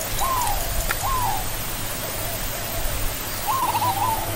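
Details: Barred ground dove or zebra dove (Geopelia striata), called perkutut: two drawn, falling coos, then quiet soft notes, then a quick trilled coo phrase near the end, over background hum.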